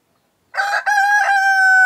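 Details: Rooster of an egg-laying breed, whose crow usually comes in the morning to announce daybreak. After half a second of silence a loud, close crow begins with a choppy, rough opening, then breaks into a long, steady, ringing tone that is still going at the cut.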